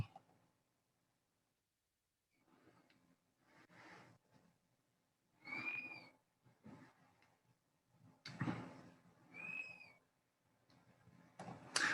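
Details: Dusky-capped Flycatcher call, a 2020 Nevada review-list record, played from a recording: two plaintive, slightly arched whistles about four seconds apart, over muffled room noise and thumps.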